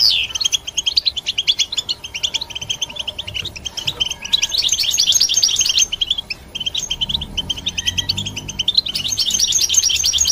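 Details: European goldfinch song: rapid liquid chirps and trills run in long phrases, broken by short gaps, with a faint low hum in the background.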